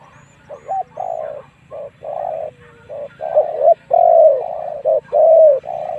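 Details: Cooing of a spotted dove used to lure wild doves into fighting, a run of overlapping low coos and croos over a steady background hum.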